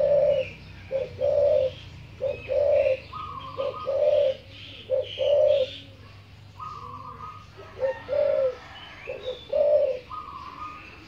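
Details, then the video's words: A pet spotted dove kept for many years, said to coo all day: repeated hoarse, mellow phrases of several notes about two seconds apart, with faint chirps of small birds behind. "นกเขาใหญ่คารมดี ขันทั้งวัน"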